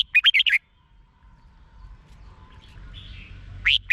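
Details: Caged-bird excitement recording of a red-whiskered bulbul from Thailand: a brisk phrase of five bubbling whistled notes, a pause with faint chatter, then a single rising note begins again.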